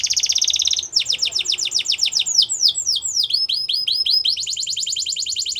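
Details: Canary singing a buzzy trill followed by rolling downslurred sweeps and a final fast rattle of repeated notes, continuous and loud.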